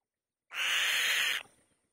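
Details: On the nest, a white-tailed kite gives one hoarse, breathy screech of roughly one second, steady and rasping throughout, then stops sharply into silence.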